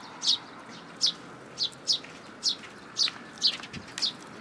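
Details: Young sparrow that came to a plum tree at a Tenmangu shrine to be fed, June 2022: high, short, down-slurred chirps, eight in four and a half seconds, unevenly spaced over a faint steady background hiss.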